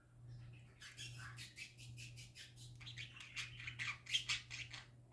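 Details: Happy parakeet chatter that begins after a brief silence: rhythmic scratchy chirps repeated about twice a second, building into louder squeaky, buzzy notes, with a steady low hum beneath.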